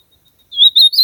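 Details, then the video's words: Ultramarine grosbeak (azulão) in nature giving a short burst of song: three sweet, slurred whistles, the last rising slightly, loud and clear with nothing else audible. "AZULAO CANTANDO MUITO NA NATUREZA ESQUENTAR SEU AZULAO COM ESSE CANTO"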